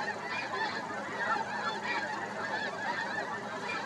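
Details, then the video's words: Morning flyover of snow geese, heard as a steady wall of many overlapping, clamorous honking yelps with no gaps between calls. "Snow Geese fly over early this morning."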